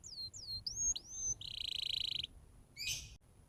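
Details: Canary song used as a tutor for training young canaries: a few high falling whistles and rising slurs, then a long buzzy rattling trill and a short harsh burst, against a quiet background.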